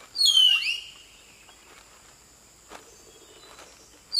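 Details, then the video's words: Common hill myna singing in Nagarahole National Park: one loud, piercing whistled phrase sweeping in pitch for under a second, then quiet with a faint steady high hum and soft clicks. "Hill myna singing"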